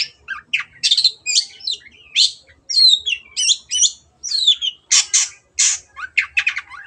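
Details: Long-tailed shrike singing energetically, played as a lure for silent birds: a fast, varied run of whistled slurs, sharp chirps and scratchy rasping notes, tightly packed with brief gaps.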